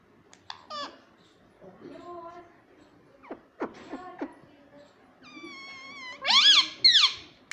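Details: Indoor pet parrot known for talking, saying 'mummy' and 'papa'. Scattered clicks and soft murmured syllables lead into a steady nasal tone, then two loud, wavering, squawk-like phrases at the end.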